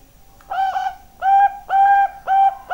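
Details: Zebra dove of the Bangkok type, known locally as perkutut, singing four firm, even-pitched coos with brief gaps, the first softer and slightly broken, the rest full and clear.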